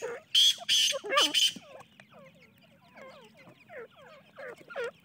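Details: Francolin (teetar) chicks: three loud harsh squawking bursts open the recording, then a run of softer downward-sliding chick peeps, repeated quickly from several birds.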